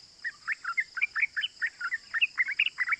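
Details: Yellow-vented bulbul delivering fast ropel 'cuk cuk' calls, used to rouse other bulbuls into calling: bubbly, slightly varied chirps packed about five or six per second, rising and falling in a cheerful jumble.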